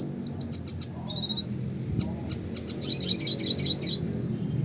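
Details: Red siskin delivers a classic chattering song of rapid high twitters and a brief buzzy trill, ending in a dense burst of chirps over low background noise.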